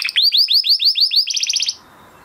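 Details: Crested Spanish Timbrado canary bred in 2020 gives a training song for canaries with weak voices: a string of clear upswept notes about eight times a second, then a faster rattling trill that stops abruptly.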